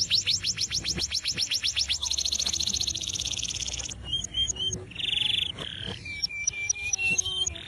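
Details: Uncaged Atlantic canary in full song, kept as a master recording for training birds: rapid repeated sweeping notes at first, then a long rolling buzzy trill, followed by clear whistled tones and short chips.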